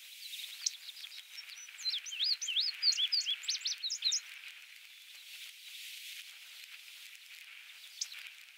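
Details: A male Indigo Bunting (Passerina cyanea) sings at Goose Lake Prairie, Illinois, on 29 May 2016: a bright, high, sweet song of quick paired notes lasting about four seconds over steady hiss, with one stray high note after.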